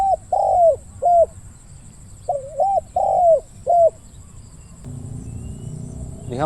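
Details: Spotted dove calling as a decoy for trapping wild doves: two phrases of three or four soft hooted coos, each with a long sustained middle note, then quiet rural background hum.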